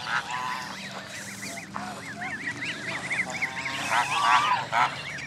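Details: Many Canada goose goslings with their families at Jess Ranch Lakes Park, May 23, 2014: overlapping thin rising-falling peeps in quick series, with brief harsher adult calls and steady background hiss.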